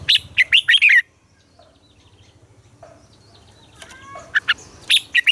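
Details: Red-whiskered bulbul morning song played to train captive birds: a quick run of loud warbled notes, a pause with faint chirps, then more bright, choppy whistled phrases.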